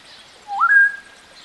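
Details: Western black-headed oriole (Oriolus brachyrynchus), song.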